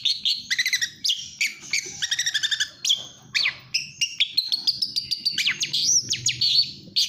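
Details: Pentet, the long-tailed shrike, singing gacor speed rapet: stuttering bursts of high notes, sharp upward and downward whistles and a few drawn-out whistled phrases, delivered at a fast pace.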